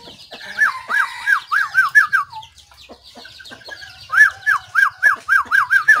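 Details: White-rumped shama, recorded 17 April 2024, giving two rapid series of repeated arched whistled notes, about six to eight per burst, separated by a short pause with scattered softer chirps.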